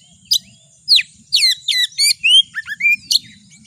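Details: Oriental magpie-robin (kacer) song used as a lure to excite a kacer into singing: a rapid, varied run of sharp high whistles, downward sweeps and chattering notes, some slurred rising phrases near the end, in quick irregular bursts.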